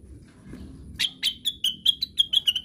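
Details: Cuckoo, known locally as cucakwilis, in a classic song style, described as babbling as if in its sleep; a quick run of about nine sharp high whistled notes, falling slightly in pitch and speeding up, after a quiet low hum.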